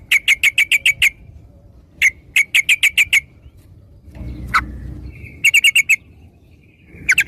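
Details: Sooty-headed bulbul song used to prompt other birds to sing: rapid bursts of six or seven sharp bright chirps in quick rows, separated by short pauses, with a brief lower rustling thump in the middle.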